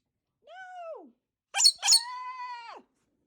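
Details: A very vocal pet Galah (rose-breasted cockatoo) missing tail feathers gives a short falling squawk, then two harsh raspy bursts running into a long, strained, nasal screech.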